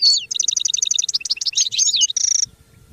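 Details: Goldfinch song: a rapid run of repeated high twittered notes, then varied slurred whistles, ending in a buzzy trill, all delivered fast and continuously.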